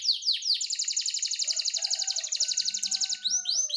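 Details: Canary cengkok for training caged birds to sing: a few swooping notes lead into a long, even, rapid high trill lasting about three seconds, ending with more swoops; faint low sounds beneath.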